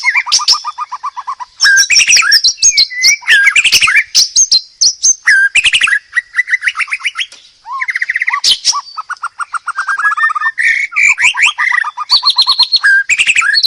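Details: White-rumped shama, a loud, vigorous master song used for training, pours out continuous varied phrases: rapid repeated notes, sweeping whistles, sharp chirps and fast trills switching pitch every second or two, with no other sounds heard.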